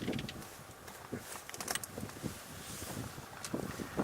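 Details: Wind buffeting the microphone and broadband outdoor rumble, possibly a boat, with no animal voice heard.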